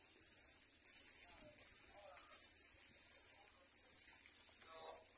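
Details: At a myna nest with four chicks, loud squeaky double chirps repeat steadily about every three quarters of a second, seven bursts in all.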